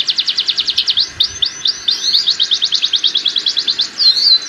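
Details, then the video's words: Canary mating song, played by breeders as a lure to speed up pairing and raise breeding drive: rapid high trills of sharp down-slurred notes, about ten a second, shifting through several trill types and ending in a twisting warbled phrase, over a faint low hum. "Kicauan Kenari Kawin Untuk Pancingan Penjodohan Kenari"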